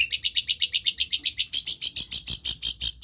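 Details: Mimicking long-tailed shrike repeating short, harsh, high chirps at a quick even pace, switching halfway to a thinner, sharper, higher note series. No other sounds are heard.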